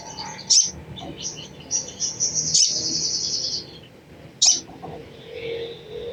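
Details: Chattering crimson sunbird call used to prompt other sunbirds into song: sharp high chips followed by a sustained, thin, buzzy trill lasting over a second, then another isolated chip and softer twitters, with low rumbling noise underneath.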